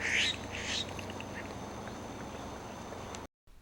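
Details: Florida scrub-jay, Florida's only endemic bird, giving two harsh, raspy, quacking calls, then a few faint quick clicking notes (the clicking or hiccup call is made by females) over steady hiss, near a small ephemeral wetland in Lyonia Preserve scrub.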